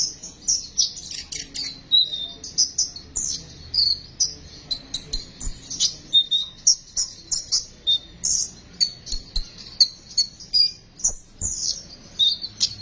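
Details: Sunbird besetan song as lure material for sunbirds: long run of high, squeaky chirps and sliding whistles, pulsing about twice a second, with thin trills between.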